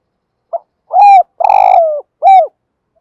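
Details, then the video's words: Morning calling of a spotted dove kept as a lure for wild doves. A brief pip is followed by a full coo, a long buzzy pulsing coo falling away at the close, and a last rounded coo. The calls are loud and close in silence. "tieng chim cu mồi gáy gọi bổi buổi sáng"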